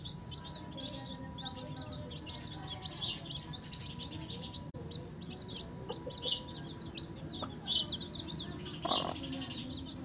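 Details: Chicks with their mother hen peeping continuously, many high, short cheeping notes overlapping, with occasional louder knocks and rustles.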